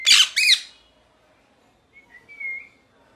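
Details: Parrot letting out two harsh screeches, then a quiet spell with a faint thin whistle sliding along a steady pitch.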